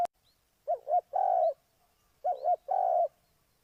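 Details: A spotted dove used as a decoy for bird trapping gives two soft, low coo phrases. Each has two quick hooked notes and then a longer, drawn-out coo, with clear pauses between phrases.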